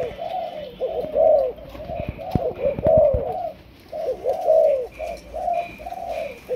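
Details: Young spotted dove from Malaysia, trained as a decoy, gives phrased low coos: bursts of three or four dipping notes separated by short silences, with a faint high tone behind.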